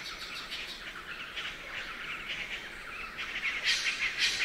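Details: Rapid, uneven chattering from a Spangled drongo in Australia's Nightcap rainforest: metallic jangling notes repeated about three per second, growing louder and sharper toward the end, with a thin insect drone behind.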